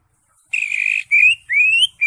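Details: Greater green leafbird singing in the ngekek style: a sustained buzzy whistled note, then a short rising whistle and a longer slowly rising whistled phrase, with another note starting at the end.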